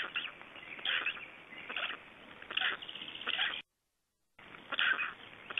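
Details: At a Black stork nest in Estonia on 26 May 2012, while the birds are fed: gruff, raspy pulse bursts in irregular groups. The sound is briefly silent before the grating calls resume.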